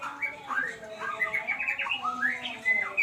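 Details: Young white-rumped shama learning sounds: short linked whistled notes, sliding up and down, ending in a bright clear whistle, with a low steady hum beneath.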